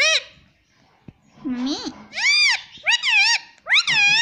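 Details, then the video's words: Household talking parrot, said to speak "mitthu" and "mummy", delivers about five arched, nasal, voice-like syllables in quick succession after a pause, each rising then falling in pitch. "Me tota me tota bolne wala tota - batuni sheetan tota - batuni tota"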